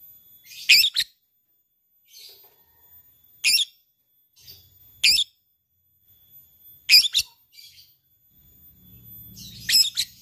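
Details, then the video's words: Lovebird, a fighter bird calling an opponent, gives short, harsh, high squawks, singly or in quick pairs, every two to three seconds with silence between, plus a faint low rumble near the end. "LABET memanggil lawan | ngetik ngekek fighter"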